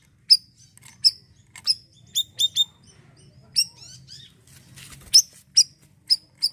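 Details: Gacor Asian glossy starling in siri-siri style, a sound for training unschooled birds: sharp high ticks, some doubled and tripled in quick clusters, about fourteen across six and a half seconds, over a low hum.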